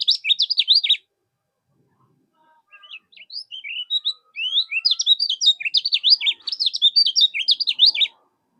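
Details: Kecial kuning 'mol' song used as training material for contest birds: a loud one-second burst of rapid zigzag notes, a pause, then softer chirps building into a long, dense, rapid high trill.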